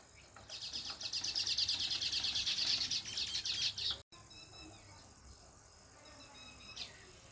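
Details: Sparrows chirping naturally, a dense burst of rapid, high, scratchy chirps repeated about three times a second for several seconds, then breaking off to soft background hiss with one last faint chirp.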